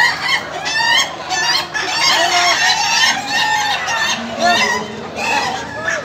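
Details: Laughing chicken crowing in a contest final: dense, rapid chuckling series of harsh harmonic notes in repeated bursts about a second apart, several roosters overlapping, with faint voices in the background.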